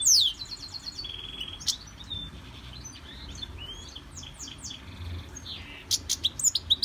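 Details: Caged European goldfinch in a Victorian brass cage, undergoing song training from a CD, gives a fast run of high, thin twittering notes, buzzy trills and sharp chirps, ending in a burst of quick clipped tweets, over faint low room hum.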